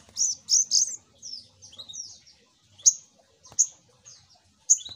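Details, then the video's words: Spiderhunter (sogok ontong), recorded as a lure call: sharp, high chirps and short downslurred notes, some in quick clusters near the start, then single loud notes spaced about a second apart, over faint low background hum. "Suara Pancingan Burung SogokOntong"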